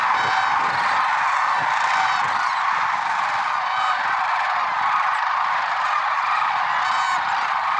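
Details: Lesser sandhill cranes at Merced National Wildlife Refuge, early morning, February 6, 2023: a dense, steady chorus of many rolling, trumpeting calls overlapping without pause, with brief higher rattling notes rising above the crowd.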